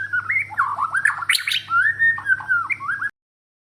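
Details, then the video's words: Borneo white-rumped shama giving lower, slurred warbling phrases that glide up and down, with a brief harsh burst midway, against a constant low electrical hum. "murai Borneo 1titik"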